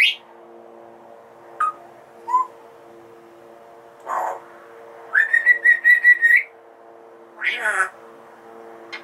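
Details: A female Congo African grey parrot, a pet that knows many words, beeps and songs, gives scattered whistles, a rapid run of bright repeated notes and a few harsh squawks over a steady low hum.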